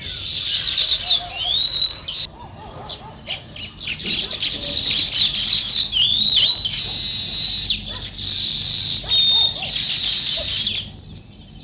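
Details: Sparrows chirping loudly in a morning scene, long runs of dense, bright high chirping broken by brief pauses, with thin sweeping whistled notes and a few lower chirps mixed in.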